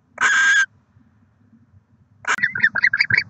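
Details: Barn owl pair at a nest with six eggs in Oceanside, California, December 2023; one harsh, hissing screech, then after a pause a rapid series of short, chittering notes.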